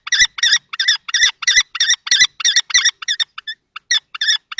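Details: Older adult male and young male common kestrels fight over a nest box in Théding, France, on 20 March 2024. Shrill, repeated notes with a few knocks fade into thinner, broken calls toward the end.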